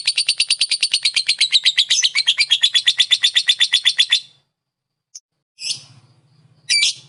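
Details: Lovebird ngekek song used to provoke other lovebirds: a long rapid run of harsh, chattering notes repeated about three times per second for four seconds, then silence and two short scratchy bursts, with a faint low hum.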